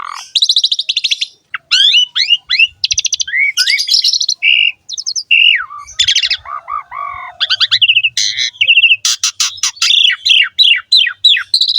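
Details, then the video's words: Energetic ngerek-style song of a Javan pied starling, used to train and stir other starlings to sing: a dense, varied medley of chirps, upslurred whistles, harsh scratchy notes and rattling trills, almost continuous for twelve seconds. "BURUNG JALAK SUREN GACOR NGEREK ISTIMEWA"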